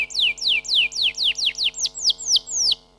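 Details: Canary song of loud, clear, falling whistled notes repeated about four times per second, each sweep sliding down sharply.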